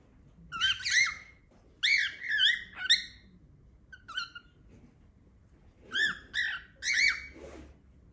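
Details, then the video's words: Loud noises from a pet cockatiel indoors, coming in groups of two or three harsh, downward-slurred squawks, separated by short quiet gaps, eight calls in all. "Cocktails makes loud noises"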